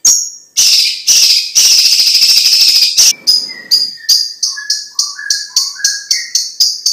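A green leafbird opens with harsh, raspy bursts, then settles into a quick run of high buzzy notes paired with lower clear whistles, about two a second.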